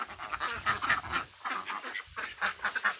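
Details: Ducks of mixed kinds (mandarin, mallard, Pekin) quacking busily; short nasal calls tumble in quick runs of three to five, separated by brief pauses.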